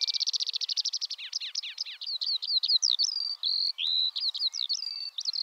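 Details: Eurasian skylark singing: begins with a fast, even high trill, then shifts into varied slurred whistles and warbling phrases, some notes held briefly, in a lively continuous flow.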